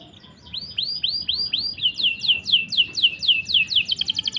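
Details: Tutor song of a canary for training silent or young canaries: a run of rising, curved whistled notes repeated about four times a second, shifting into quicker descending chirps and ending in a fast buzzy roll.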